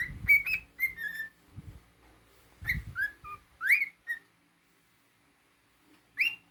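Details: Pet cockatiel, a male, whistling a phrase of short swooping notes that rise and drop, interrupted by low rumbling handling noise, then falling quiet before one last upward whistle.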